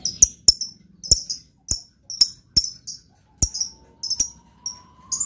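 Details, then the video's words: Lovebird giving crisp, piercing chirps in doubled or single bursts at irregular intervals of roughly half a second. A faint, slowly rising hum runs underneath in the second half. "LOVEBIRD GAYA MEWAH. SEKALI BUNYi LANGSUNG YAUT.."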